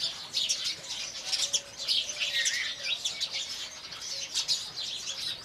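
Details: Indian house sparrows in the morning chirp in a busy overlapping chorus, bright short chirps repeated constantly, with a fluttering wingbeat sound beneath.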